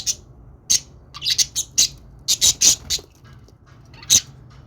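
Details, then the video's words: Budgerigar happy sounds as scattered squeaky, slightly buzzy chirps, some grouped in quick pairs and triplets, separated by short quiet gaps, ending with a lone chirp. "budgies sounds to make them sing"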